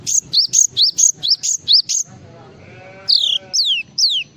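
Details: Java sparrow performing a full filler song: a rapid chain of about nine alternating high notes over two seconds, a brief low grating sound, then three long descending whistles.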